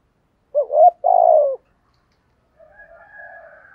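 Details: Spotted dove, 'thổ'-voice style, urging coo ('thúc gù'). One phrase of a short rising coo followed by a longer purring coo that sinks in pitch. A faint, higher wavering sound follows after a pause.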